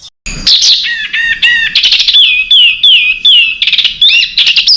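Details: Training master for contest songbirds, packed with tight rapid fill; loud varied song mixing clear descending whistles, slurred notes and fast chattering trills.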